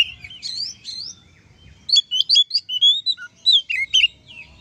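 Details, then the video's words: Oriental magpie-robin performing ngeplong song to make other kacer agitated and talkative: soft twittering first, then a burst of loud, clear whistles and sharp chirps, some sliding downward. "suara kacer ngeplong untuk memancing kacer laen emosi dan gacor"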